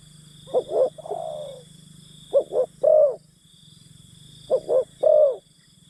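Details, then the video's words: Spotted dove acting as a decoy for wild birds, cooing in three phrases: two quick notes then a longer, slightly falling croo, roughly every two seconds, over a soft background hum. "Pikat Terkukur Aksi denak memujuk burung hutan"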